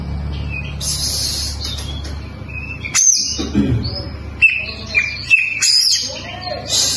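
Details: Oriental magpie-robin (kacer) song with varied high notes: scratchy bursts, thin whistles and sharp rising-falling sweeps, spaced irregularly, over a faint low background hum.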